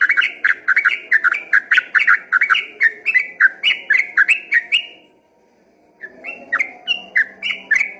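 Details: Yellow-vented bulbul in rapid 'ropel gacor' song, at first mistaken from a distance for a straw-headed bulbul: fast bubbling chains of slurred whistles for five seconds, a one-second pause, then the chattering phrases resume.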